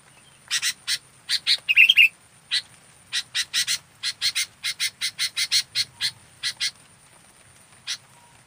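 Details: A fully active local sooty-headed bulbul on a song-training master recording gives a long series of short rasping chatter bursts in quick, uneven runs, with one brief whistled flourish near the start. The background is otherwise quiet.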